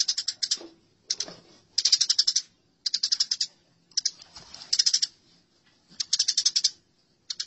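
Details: Fighting house sparrows give bursts of quick, scratchy chirps, each run a fraction of a second long, separated by brief pauses. Faint low knocks are also heard.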